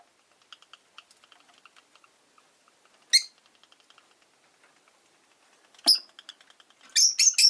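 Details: A quiet afternoon with five caged Rosy-faced lovebirds by a window: soft ticking and faint chatter, two isolated shrill chirps, then a rapid run of loud, harsh chirps.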